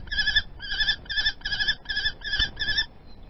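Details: Peregrine falcon at the nest in Théding, France, on 28 April 2020, calling during a prey exchange: seven harsh, nasal wailing notes, each about a third of a second long, repeated steadily in rhythm.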